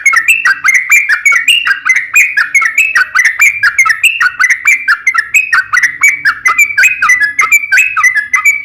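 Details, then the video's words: Sooty-headed bulbul in energetic gacor song of the long ropel style, played as a lure to make other bulbuls answer: a steady stream of bubbly, whistled two- and three-note phrases, each falling then rising, with no pauses. "trucukan gacor ROPEL PANJANG"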